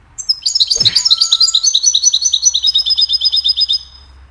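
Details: Goldfinch singing a cheerful melody, recorded for training other songbirds: a rapid, tinkling twitter of high, bright notes repeated at a fast pulse for about three seconds, opened by a brief low thump.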